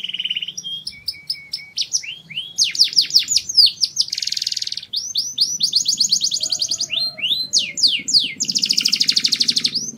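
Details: Singing canary delivering high rapid trills and rolls, descending swept notes, a buzzy rattle and long even trills, phrases changing every second or two over a faint low background hum.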